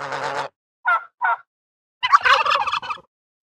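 A turkey gives a fast, rattling gobble after two short clucks, between spoken words.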